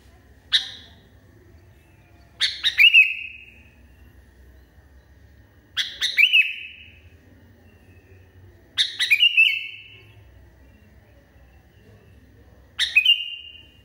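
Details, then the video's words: Sooty-headed bulbul singing in a highly agitated state: five short bright phrases over fourteen seconds, each a sharp burst that settles into a brief wavering whistled tail, separated by pauses of one to three seconds, over a faint low rumble. "KUTILANG NGAMUK PARAH"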